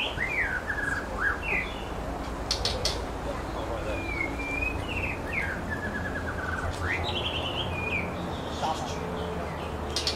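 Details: White-rumped shama pair feeding chicks in a nest on the North Shore; clear whistled phrases, some sliding down and others rising, repeated across ten seconds over steady low background noise and faint clicks.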